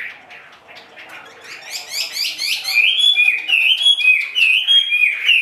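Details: Caged Chinese hwamei singing: soft scratchy notes, then a run of quick rising-and-falling slurred phrases, then loud clear whistled notes repeated about three times a second.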